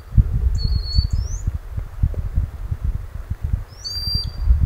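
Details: Adult Common sandpiper calling to its chicks near where it bred beside a river in northern Scotland, filmed with a Sony a6600; two brief, high, piping whistles, one early and one late, separated by a gap of river rumble.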